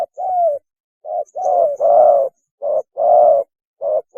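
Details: Spotted dove mating call for luring birds: rapid series of short coos and longer, slightly falling hoots in irregular alternation, with faint high chirps in the background.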